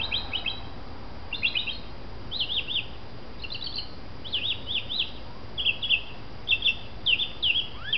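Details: Mockingbird singing loudly in the morning from the top of a telephone pole: high, varied phrases, each short figure repeated two or three times before switching, some as fast trills and others as looping whistles, over a steady low rumble of background noise.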